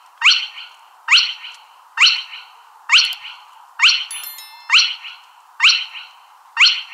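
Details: Spotted crake repeating a rising whip-like whistle eight times, about once per second, each note followed by a short buzzy fade; a single faint click and a brief thin tonal sound appear midway.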